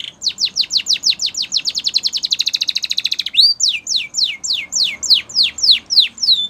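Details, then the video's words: Canary training song: fast rows of high, downward-sweeping whistled notes, about four per second, speed up into a rapid rolling trill, then break into slower, rising and falling swept notes. "Canary's Training Song"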